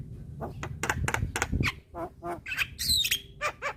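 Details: Black-winged myna (Jalak Kebo, white-eyed type) singing vigorously with head-nodding, a training recording for cage birds: rapid run of harsh, buzzy squawks and clicks, then a bright, sharply falling whistle near the end over a low background rumble.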